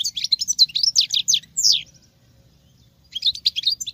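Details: Female European goldfinch singing like a male: fast, bright twittering of slurred, rising and falling notes, about two and a half notes a second, a pause, then the twittering resumes.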